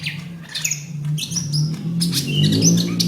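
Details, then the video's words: Greater green leafbird fighting call recorded in May 2016, used to train other birds to sing: sharp chirps and squawky notes, some descending, over a steady low electrical hum. "suara cucak hijau tarung"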